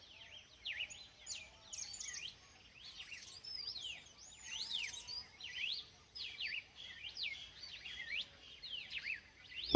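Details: Red-cowled cardinal singing in the open: a run of loud, clear whistled phrases with sharp rising and falling slurs, delivered in bursts of about a second with short pauses, with a faint high bird call and a steady background hiss.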